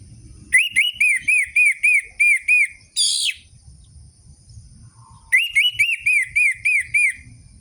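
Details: Orange-headed thrush singing for a lure aimed at captive birds that have gone quiet: about eight looping whistled notes in quick succession, a harsh rasping burst, a brief pause, then another series of looping whistles.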